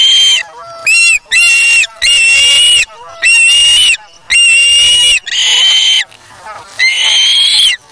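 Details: Charlo nest osprey chick, August 3, 2017, feeding on fish taken from a parent; repeated loud, shrill whistled squeals, each about half a second to a second long, in a steady irregular series.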